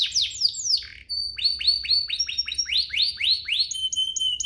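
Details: Domestic canary (Serinus canaria domestica) sings a fast, bright song of rapid rising sweeps and trills, three to four notes a second, with thin high whistles and a low hum; played as a lure to get other canaries singing.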